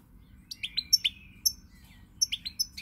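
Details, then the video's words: Goldfinch on 20 March 2020 giving a fast run of crisp, ringing chips and tinkling notes, some clear and piping, then a short pause before another quick string of bright twitters. "Pirlitan Chardonneret, El jilguero, bird, cardellino pezzato GOLDFINCH SONG"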